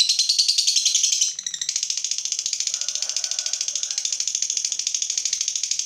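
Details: Fighter lovebird, provoked and heated up, giving a long ngekek: a high, dry, rapid chattering trill that runs almost unbroken. A short pause near the start is followed by steady fast pulses to the end.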